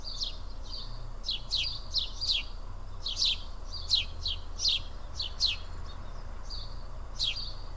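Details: At Karyotissa in Greece, house sparrows perch and eat together, uttering clipped, downward chirps in short bursts, busier early, then sparser, above a faint low rumble.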